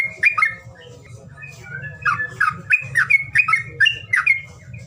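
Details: Lure call for birds unwilling to sing: brief squawks, a near-silent gap, then a fast series of rough, bending notes roughly three per second, with low background hum.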